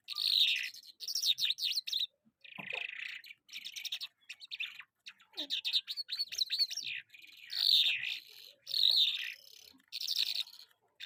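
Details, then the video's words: Jal Afghani lark singing in Karachi, pouring out fast, varied phrases of high whistled slurs, chattering trills and buzzy notes, about one phrase per second, with short gaps. "Jal Afghani lark My favorite Bird"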